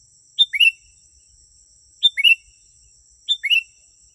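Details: Lure recording of a sooty-headed bulbul: three evenly spaced liquid phrases, each a bright opening note and a fluty falling-rising pair, over a steady high whine and otherwise quiet background.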